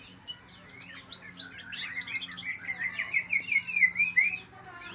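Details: Greater green leafbird song, Kalimantan and Banyuwangi birds compared, played to stimulate other leafbirds into singing: a dense, continuous run of varied whistled notes and rapid slurred trills, growing louder midway, with a faint steady hum underneath.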